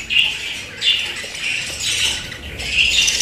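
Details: Budgerigars kept as pets squawk and chirp in rapid, scratchy bursts about every three-quarters of a second, forming a busy high chatter.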